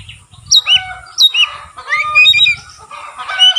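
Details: White-rumped shama with spreading tail, giving two sharp downslurred whistles followed by a jumbled run of warbled and chattering notes, over quiet low-pitched tapping.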